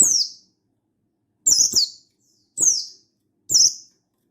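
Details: A mountain white-eye of the Buxtoni pleci type calling to a rival in energetic wild style: a short series of bright, high, falling chirps, one of them doubled, roughly one per second.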